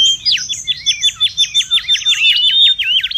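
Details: Busy mangrove whistler song from the wild, for lures and tutoring: fast, evenly repeated whistled notes, each a steep slur, delivered in a steady chattering stream of roughly three per second.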